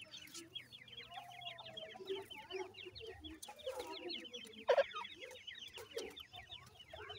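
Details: Irani teetar, the Iranian partridge, tending and feeding brown chicks; steady overlapping high chirps from the brood throughout, mixed with soft low clucks and one louder sharp note near the middle.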